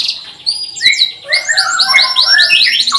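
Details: Canary warbling as a lure for young birds learning to sing: rolling, slurred notes rising and falling in quick succession, building into a busy twittering phrase.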